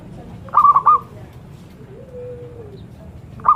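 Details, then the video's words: Zebra dove, called a sacred bird, giving two short bursts of clipped, stuttering coo notes, then a soft lower drawn-out note and a final brief fragment of the same stuttering phrase at the end. "Burung sakral Perkutut"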